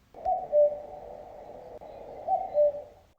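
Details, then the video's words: Common cuckoo voice played as a guess-the-bird quiz in a children's music lesson: falling two-note "cuck-oo" twice, about two seconds apart, over a steady low hum of background music. "правильно діти це голос зозулі"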